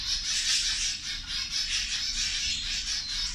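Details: Several zebra finches calling together while they eat, a steady wash of high, nasal chirps that overlap constantly and swell slightly in loudness every half second or so.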